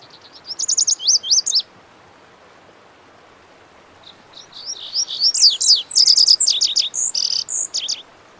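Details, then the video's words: Two song bursts from a Lazuli bunting (Passerina amoena): a short run of high, sharp paired notes, a pause of nearly three seconds, then a longer, jumbled warble of buzzy and whistled notes. "The Melodic Song of the Lazuli Bunting"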